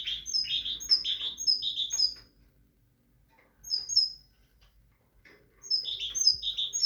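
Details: Tit singing lively phrases of high, clear repeated notes in quick succession, with a short fragment between two longer bursts and brief silences.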